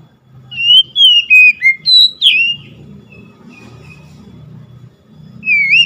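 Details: Oriental magpie-robin song: a burst of clear whistled notes, rising and falling slides around the middle register, about six phrases in quick succession, then a pause and a new whistled phrase starting at the end, over a faint low rumble.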